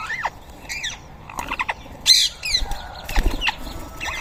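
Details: Rose-ringed parakeet at feeding in Coimbatore gives harsh, screechy squawks in quick bursts, several sharp notes a second with rasping chatter between, and faint rustling and flapping behind.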